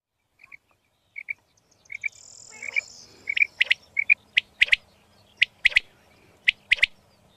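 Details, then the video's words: A female quail gives soft, high paired chirps about once a second, turning sharper and clickier toward the end over a brief hiss; a female quail call offered for quail trappers and hunters. "Female Quail Voice Today"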